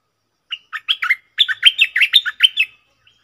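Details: Red-whiskered bulbul decoy bird calling to lure wild bulbuls, using its call, "double" and "rik" sounds: a quick, lively run of about a dozen bright, slurred chirps over two seconds, with no other sounds.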